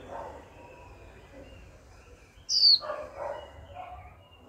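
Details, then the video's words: Caged female Japanese white-eye calling 'chíu' to spur a male to sing: a single bright, high, downward-slurred whistle, over soft murmuring background noise. "Khuyên mái tơ chíu liên tục kích bổi líu ngay!"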